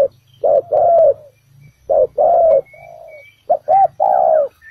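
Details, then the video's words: Spotted dove used as a ground decoy to lure wild doves into a trap, giving deep cooing phrases: a short coo then a longer drawn coo, repeated in pairs with pauses between. "Bẫy cu gáy mồi đất, bổi thổ đủ bài"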